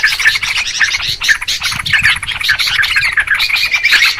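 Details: Noisy, busy Sooty-headed Bulbul calls recorded as a clear lure for trapping birds: a dense overlapping chorus of short chirps and bubbly notes, several birds calling at once without pause.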